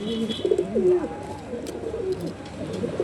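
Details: Deshi old-blood high-flyer domestic pigeons cooing: a run of low, rolling, throaty coos with wavering pitch, several overlapping, over faint background hiss.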